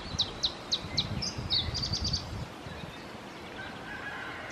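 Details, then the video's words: Male Iberian chiffchaff (Phylloscopus ibericus) singing at Testelt, Belgium, 7 May 2017: four spaced high notes followed by a quick run of sharper notes, then quiet with low rumbling noise and a faint distant bird. "Singing male Iberian Chiffchaff - Phylloscopus ibericus"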